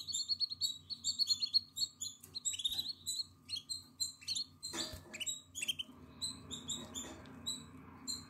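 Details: Atlantic canary chick, nine days old, eyes open and feathers growing, in its nest on 14 April 2022: rapid strings of shrill, high cheeps, dense at first then spaced, broken by a brief knocking rustle midway, over a constant low hum.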